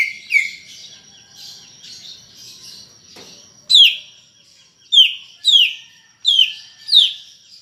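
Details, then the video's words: Lively greater green leafbird song: a soft chattering start and a faint click, then five strong, sharply descending whistled notes spaced about half a second apart. "Ocehan Cucak Ijo Gacor untuk Pancingan Bunyi"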